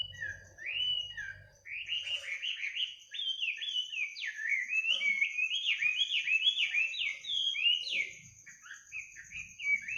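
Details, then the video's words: Midnight birdsong meant to lull listeners to sleep: a fast, continuous run of sweet slurred whistles, many quick down-and-up notes in a steady stream, with a faint high constant tone behind. "kicau burung di tengah malam"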